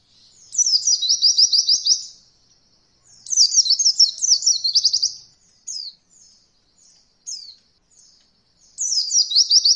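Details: Beginner training material for white-eyes learning roll: two high, rapid trills of sharp repeated notes, each about one and a half seconds, separated by short thin chips, and a third trill starting at the end.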